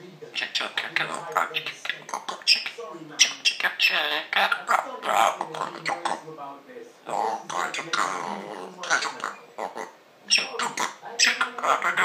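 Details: Female African grey parrot, a pet, chattering nonstop: a dense run of speech-like babble and mimicked words with sharp clicky bursts, brief pauses near seven and ten seconds, then more rapid chatter indoors.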